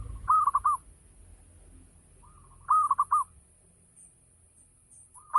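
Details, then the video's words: Ngayer-style song of a local zebra dove, a lure meant to make other doves respond and sing: a faint lead-in coo, then bursts of three or four rapid bubbling coos, repeating roughly every two and a half seconds. "Gacor Perkutut Lokal || Pancingan Full Ngayer Perangsang Nyaut Bunyi"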